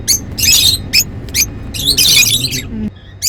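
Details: Happy lovebirds in busy, harsh chattering: dense shrill squawky bursts and separate sharp chirps packed close together.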